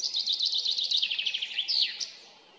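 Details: Male common chaffinch singing in a forest at Sesvete, Croatia, on 16 March 2020 in early spring, proving himself to other males: a fast, bright descending trill of repeated notes ending in a sharp flourish.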